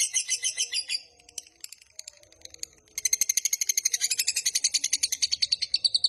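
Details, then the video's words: Lovebird ngekek panjang used as training material for other lovebirds: a burst of rapid harsh chatter, a short pause with faint scattered chirps, then a long fast trill of evenly repeated raspy notes. "Suara MASTERAN Burung LOVEBIRD Ngekek Panjang Paling Cepat Dan Ampuh Untuk Memancing"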